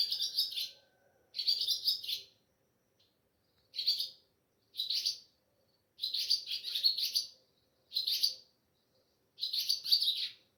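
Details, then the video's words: Pre-dawn chirping of a swallow (Ababil) at home at Sehri time under moonlight, mobile phone recording; seven or eight sharp, high, scratchy trilled bursts, each about half a second, spaced irregularly with quiet gaps. "Sweet voice of Ababil Bird at Sehri"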